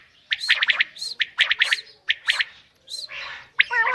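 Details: Female common quail uttering quick clusters of harsh, gargling notes, a short pause, then a breathy burst and a final harmonic squawk.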